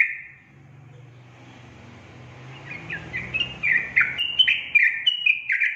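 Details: Song of a yellow-vented bulbul meant to prompt lazy birds to sing: a steady low hum at first, then a lively series of short bubbling, downslurred whistles that repeat rapidly and grow louder toward the end.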